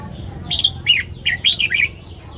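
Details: Red-whiskered bulbul giving a morning song for training caged birds: a brisk string of about six cheerful, slurred whistled notes, rising and falling, in close succession.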